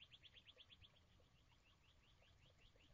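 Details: Goldfinches on feeders, 27 March 2010, live camera feed: a quick run of high, clipped chirps, about nine each second, then a looser string of rising slurred notes, faint over a steady low hum.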